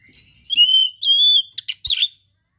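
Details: Oriental magpie-robin singing a "gacor" song with rare filler material. Long, pure, level whistles are followed by a few harsh chattering notes, and then the song stops.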